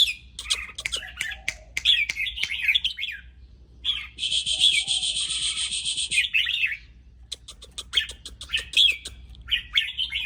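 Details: Spirited, teasing red-whiskered bulbul: rapid warbled whistles and clicks, then a sustained harsh buzzing chatter of about two seconds, then more bright chirping phrases.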